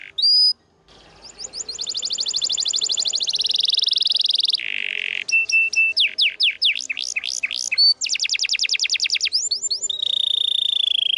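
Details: Vigorous canary song used as masteran training material for birds that stopped singing: a short high whistle, a long rapid rolling trill, a low buzzy patch, clipped chips, falling sweeps, another trill and a final sustained high whistle.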